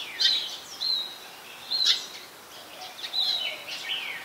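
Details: Thin, high twittering notes and brief sweeping slurs in quick uneven bursts from a brown-throated sunbird, Ubon Ratchathani, Thailand, 15 January 2021, Nikon P1000 recording, with faint steady background hiss.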